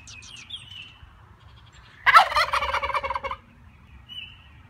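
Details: Turkey at a farm animal sanctuary giving a loud, rapid, bubbling gobble of about one second. A few high thin chirps come before it, and a faint whistle follows.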